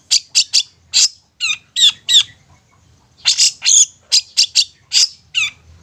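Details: Long-tailed shrike song played as a lure to make mute young shrikes sing: short harsh rasping notes mixed with sweeping, hooked whistles, delivered irregularly with a brief pause midway.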